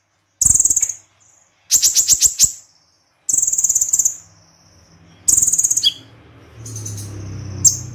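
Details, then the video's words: Konin (olive-backed sunbird) in energetic 'tembakan' song: several dense, shrill trilled bursts about a second long, trailing thin whistles, with a sharp chip and softer chattering toward the end over light background hiss. "Konin Tembakan Kombinasi Extra Super Pedas - Konin Gacor Full Tembakan"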